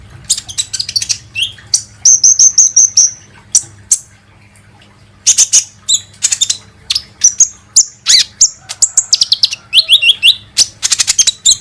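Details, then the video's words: Lure recording of a kolibri ninja sunbird, used to prompt birds into singing: rapid, very high twittering with thin buzzy trills, a brief silence midway, then dense chattering runs of quick chirps. "SUARA BURUNG KOLIBRI NINJA"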